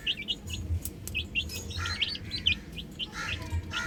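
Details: Baby hens on a roof give scattered, irregular high peeps, a few loud sharp chirps among softer ones, with some clicking knocks and a low background hum.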